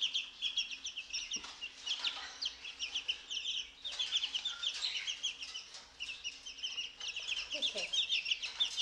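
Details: Two-week-old chicks let out of the brooder and fed mealworms; constant high peeping from many chicks in waves, with soft thumps and a short lower sound late on.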